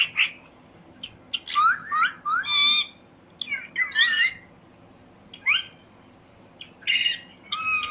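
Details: Parrot chirping: scattered sharp upswept chirps and buzzy notes in short bursts separated by quiet gaps, a faint hum underneath.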